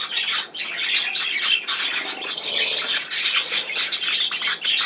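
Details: Budgerigars chattering, recorded 17 November 2024: rapid scratchy squawks and twittering notes stacked closely together, a near-constant wall of high bird noise over five seconds.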